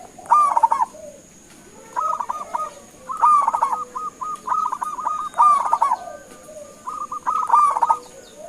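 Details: Zebra dove of local stock giving its luring call so other birds answer; a long run of choppy, beaded coo phrases, loud bursts alternating with quieter strings, plus low soft answering notes.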